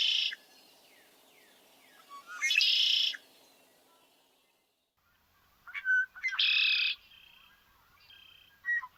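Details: A male Red-winged Blackbird, a marsh bird with four to eight song types in its repertoire, sings two song types, each twice: short clipped introductory notes leading into a harsh, buzzy trill about a second long, with a quiet pause between types.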